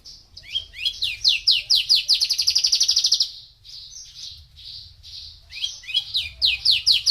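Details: Male Javan bushlark, four years old, singing a fast, varied run of high sweeping chirps, then a dense rapid trill of evenly repeated notes, a brief pause, and more rising and falling chirps.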